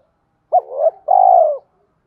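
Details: A single spotted dove fighting coo phrase, used as a lure when trapping wild doves: a sharp short note swelling into a softer hollow note, then a long, loud, even coo that tapers off.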